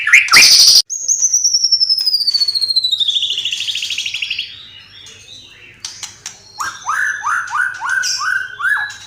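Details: Singing white-rumped shama with mimicked sparrow, lovebird and kapas tembak sounds: a harsh burst, then a long descending warbled trill lasting about three seconds. After a pause comes a string of six quick rising chirps.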